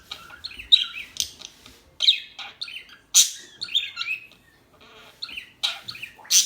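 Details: Small birds giving high, sharp chirps and short squeaky trills in irregular bursts, several notes overlapping, little other sound.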